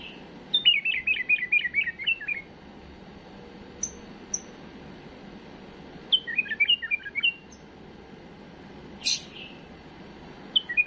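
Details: Error-free song of a tame bulbul, used to teach young birds: two bright, rapid warbled phrases of rolling up-and-down notes, separated by pauses with a few thin high chirps.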